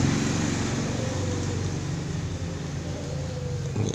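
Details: Steady road traffic and a running vehicle engine rumble throughout, low and broadband, with no animal voice audible.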